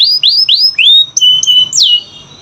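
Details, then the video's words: Clear whistled canary phrases, meant to prompt lazy canaries into song: four rising-then-level notes, two short high notes each followed by a lower held tone, and a final downward swoop. "Pancingan Kenari Malas Bunyi‼️Dengar Langsung Nyaut Gacor Dor"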